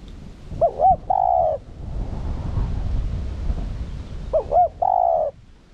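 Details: Decoy spotted dove cooing to stimulate wild males: two phrases, each with two curving short notes and a sustained coo, set against a steady low rumbling background noise.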